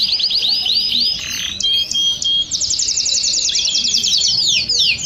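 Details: Domestic canary flock in full song, meant to get other birds singing: rapid rolls broken by a sliding whistle, then a long, buzzy, evenly pulsed trill.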